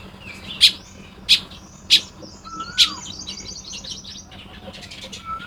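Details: Baya weaver nest building at dawn in Lopburi, Thailand, 1 May 2026. Four loud chips open the sequence, followed by a long run of fast, high-pitched chattering, with a falling whistle behind it.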